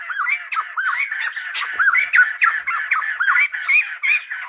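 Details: Rapid, jumbled Silver-headed babbler song of curving whistled notes and raspy squawks tumbling quickly one after another with little pause.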